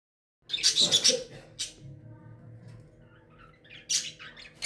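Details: Rose-ringed parakeet, described as a talking parrot, giving a quick run of harsh, high squawks and chirps in the first second, then a lone shriek and a later pair of bright screeches over a low room hum.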